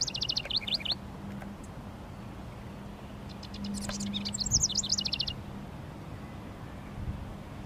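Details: Territorial song of a male house wren by a honeysuckle vine on a fence, sunny day at 19 °C: a short high bubbling phrase, a pause of nearly three seconds, then a longer tumbling, jumbled trill, low hum throughout.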